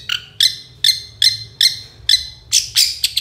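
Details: Long-tailed shrike in full song on a master recording for training songbirds, 'dor konslet' style: six sharp, harsh notes spaced under half a second apart, then louder, buzzier, rasping bursts.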